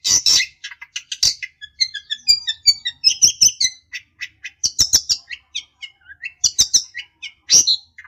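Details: Long-tailed shrike provoking a rival: a varied jumble of short chirps, twittering whistles and harsh scratchy bursts, loud and closely packed throughout.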